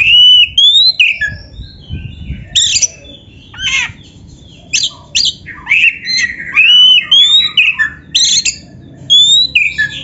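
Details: Oriental magpie-robin song played to train caged birds to sing actively: rising whistles, harsh rasps and bursts of rapid chips, varied and almost unbroken over about ten seconds.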